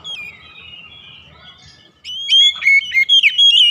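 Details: House-kept oriental magpie-robin singing as a lure to prompt other birds to sing: a quiet, faint first half, then from about two seconds loud, varied whistled phrases with sharp rising and falling notes, rapidly repeated.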